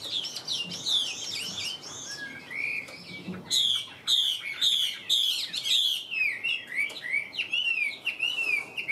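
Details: Caged male Chinese hwamei giving loud, rich song: rolling whistled phrases, then a string of emphatic repeated downslurred notes about twice a second, ending in warbling trills.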